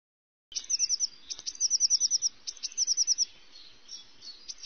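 Eurasian Blue Tit song: three quick bursts of thin, very high notes run together into bright trills. A faint background hiss lies underneath.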